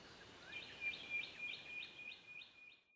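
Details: Spotted quail-thrush in Australia giving a fast series of very high, thin notes, about three per second, over a steady faint high tone and soft background hiss.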